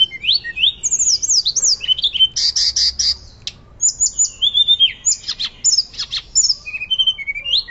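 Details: Hill blue flycatcher in Indonesia, used as a master recording to train and stir other birds, sings loudly in flute-like style: fast high whistled phrases, rising and falling slides, with brief buzzy rattling bursts around the middle.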